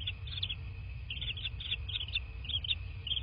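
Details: At a bald eagle nest in southwest Florida, nest camera, 23:19 on 13 March 2024: rapid, high, twittering chitters in short bursts repeated every half second or so, against a low droning background.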